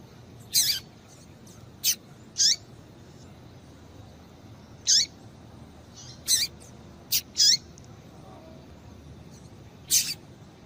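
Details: Female rusty-collared seedeater giving calls to make a male sing: scattered sharp, high chips with downward slurs, some in quick pairs, about nine notes spread irregularly, background hiss only.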